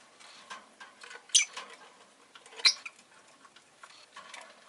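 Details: A rosy-faced lovebird gives two sharp, shrill chirps about a second apart, over a steady patter of soft ticks and clicks; street noise such as car and motorbike engines and bicycles is also in the recording.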